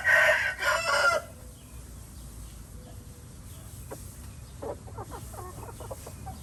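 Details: Red junglefowl recorded in Laos giving a brief rough crow in two loud bursts at the very start, followed by quieter background with faint ticking and a few clicking sounds.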